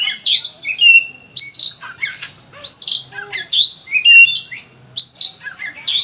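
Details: Oriental magpie-robin, a loud gacor kacer with a song full of fillers, used as a tutor to make others sing: high sweeping phrases with lower whistled tails, repeated about every second.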